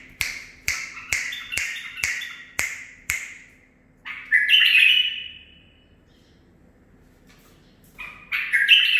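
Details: Male bulbul of nine months, bred by its keeper, performing learned song. Six evenly spaced sharp clicks lead into a fluid warbled phrase. Silence follows, then a fresh phrase begins at the end.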